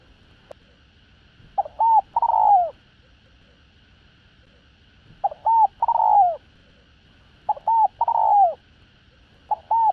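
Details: Cooing spotted dove in a complete call-urge-coo routine meant to attract other doves: clusters of two or three short looping notes ending in a drawn-out falling coo, repeated every two to three seconds over a quiet, humming background.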